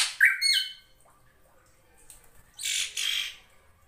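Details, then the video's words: Srigunting krantil drongo recorded as a master track for tutoring cage songbirds, with flowing water behind: a short harsh burst of rasping, overtone-rich notes, a pause, then a second scratchy burst. "MASTERAN SRIGUNTING KRANTIL FULL ISIN"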